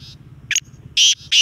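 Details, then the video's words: A black francolin calls with loud, harsh, rasping notes in a quick broken series, each grating burst lasting a fraction of a second, over a faint low hum. "kala teetar awaz. black francolin. black teetar caling"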